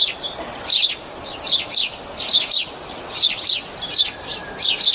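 A sparrow gives bright, high chirps, often in quick pairs, repeated about once a second over a faint steady hiss.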